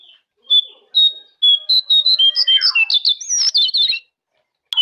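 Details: Jongkangan master song to make caged birds sing, opening with spaced clear whistles that speed into a dense, varied warble of chirps and slurred notes.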